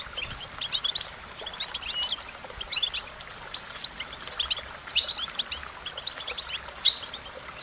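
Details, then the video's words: Steady goldfinch singing: rapid high chirps and sweet twitters, with sharper whistled notes growing stronger toward the end. "Goldfinch Melodies: A Collection of the Most Beautiful Songs"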